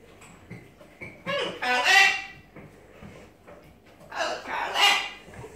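A macaw gives two loud, harsh, raspy squawks about three seconds apart, broad and grating, with quiet room sounds between them.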